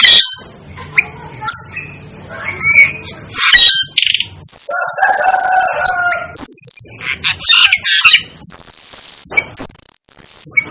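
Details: Asian glossy starling, referred to as a 'devil' bird, giving shrill high whistles and squeaky chips, joined midway by a lower, harsh, drawn-out call, then ending with loud sustained high whistles.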